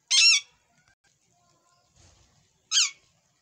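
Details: Pet rose-ringed parakeet in a fighting mood gives two loud, harsh, grating screeches, one at the start and one near the end, separated by quiet with a faint low rustle between.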